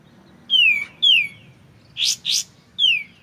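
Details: White-shouldered triller, clear voice, tutor recording with pauses for magpie-robins: two downslurred whistles, a buzzy double note, then another falling whistle, each well separated.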